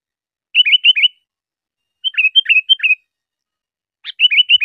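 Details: Sooty-headed bulbul recorded as a tutor for cage birds: three phrases of three or four fluty notes, each falling and rising, in otherwise silent surroundings.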